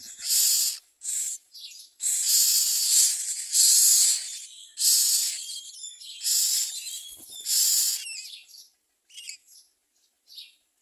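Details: Common myna bringing food to its young: a dense series of rasping hisses, some long and overlapping, followed by several thin, quieter high notes toward the end.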